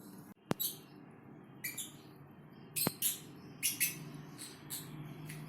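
A Fischer's lovebird gives soft, raspy, hissing snores in short bursts, about one every half second to a second, with two sharp clicks in the background.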